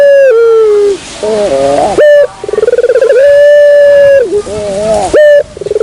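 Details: Barbary dove lure sound: a falling coo, a quick burbling trill, then a long level note, with a short phrase starting again at the end.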